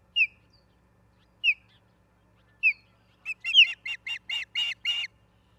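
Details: Osprey at the nest, Charlo, Montana, on 17 August 2023 at 16:04: three single downslurred whistles about 1.2 seconds apart break into a quick series of seven louder, squealing chirps.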